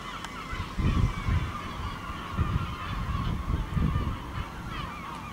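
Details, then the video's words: A gull flock passing over a village in Ortegal at dusk, with thin overlapping squeals and yelps. Heavy low thumping gusts, like wind, come in pulses beneath the birds. "Gaviotas pueblerinas ?? en el Ortegal hasta caer la noche"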